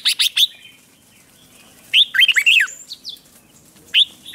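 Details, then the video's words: Red-whiskered bulbul provoked into competitive singing for voice training: a rapid burst of short sharp notes, a warbled phrase of slurred notes near the middle, then two brief notes near the end, with quiet pauses between. "Kích Chào Mào Hót Ché |Kích chào mào hót đấu"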